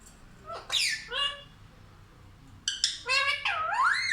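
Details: A pet parrot that talks like a child gives two brief speech-like syllables, falls quiet, then bursts into a quick, layered phrase ending in a long, wavering, rising note.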